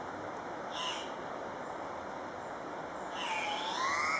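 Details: Andean cock-of-the-rock at a lek at Paz de las Aves, Ecuador: two harsh, broadband squawks about two seconds apart. Thin whistled notes from other birds and a steady high insect hum run underneath.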